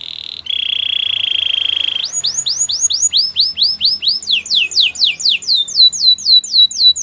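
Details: Training song of a canary meant for coaching other canaries: a steady buzzy trill, then a series of swooping whistled notes that speed up into rapid, repeated descending slurs.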